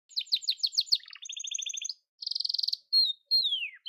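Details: Yellow canary singing: quick series of clear trills and rapid repeated notes, a buzzy rolling tour, then sharp downslurred whistles, all high-pitched and crisp against a silent background.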